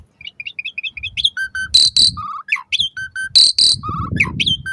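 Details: Varied song of an Asian pied starling, used to prompt caged starlings to sing in the morning and evening: rapid whistled notes, steady mid-pitched tones, upswept chirps and loud harsh rasping bursts in a busy, repeating medley.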